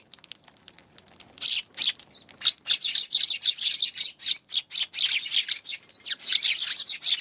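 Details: On 11 January, Eurasian tree sparrows start quietly, then break into rapid, sharp chirps about four per second, overlapping and sustained to the end.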